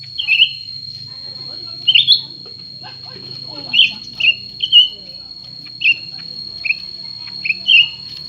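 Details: ['Cucak ranting, a new and an old bird in competition: repeated short downslurred whistles roughly every second, accompanied by a constant high steady whine and low hum.']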